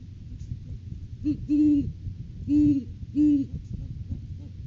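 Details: Great horned owl at a nest tree during courting season, 9 January 2023, recorded by a live nest cam: a short opening note, then three deep, clear hoots about a second apart over a steady low rumble.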